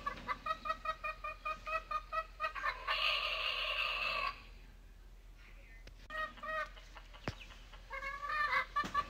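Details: Rooster in the morning: a run of quick, evenly spaced harmonic clucks, then one drawn-out, strained, steady crow of about a second and a half, then more scattered clucking notes and a few sharp clicks.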